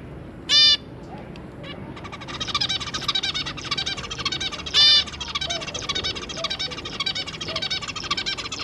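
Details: Zebra finch family with three juveniles: two loud nasal honk calls about four seconds apart, with a continuous busy chatter of soft buzzy notes between them.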